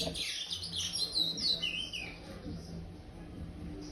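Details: Chestnut-bellied seed finch youngster, five months old and still brown, gives praia-style song: rapid bright whistles and slurred descending notes packed into the first two seconds, then fading into low background hum.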